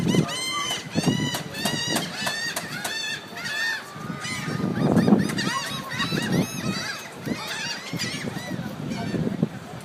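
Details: Gulls being fed by people, a crowd calling together: many short arched, mewing squeals overlapping, with one long level note, over human voices and handling noise.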